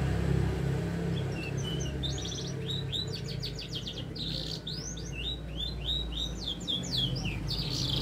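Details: Canary singing energetically while learning to shake its head: bursts of high chattering trills and quick slurred notes in uneven phrases, with a low background hum throughout.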